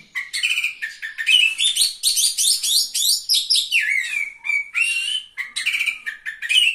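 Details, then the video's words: Oriental magpie-robin in full song at a bird singing competition, placed third: nonstop fast medley of sharp chirps, warbled whistles and falling slurs, loud and continuous, with clean quiet background. "KACER GACOR JUARA 3"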